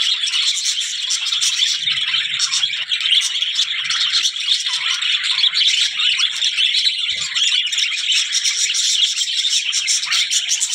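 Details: Several budgies keep up an unbroken, busy twitter of high chirps and buzzy squeaks, the texture dense and even throughout.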